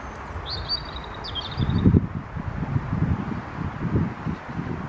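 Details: European robin singing on 4 April 2023 despite a cold wind, followed on foot by the recordist; one thin, high, twittering phrase with quick up-and-down notes. A steady low roar of wind fills the background.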